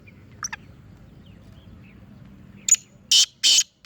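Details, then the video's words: Sindhi Chirnga black francolin, a local strain, gives a short series of hoarse, grating notes near the end. A sharp lead-in note is followed by three loud buzzy blasts spaced about a third of a second apart, after a couple of faint chirps and quiet background. "Sindhi Chirnga Nasal Ka Teetar Chakri wala Teetar"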